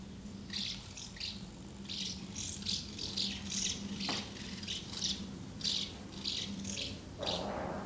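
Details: Many house martins around two nests, feeding young and flying in and out, 24 August 2012: rapid clusters of scratchy twitters repeat throughout, broken by a sharp click and a brief rustle near the end.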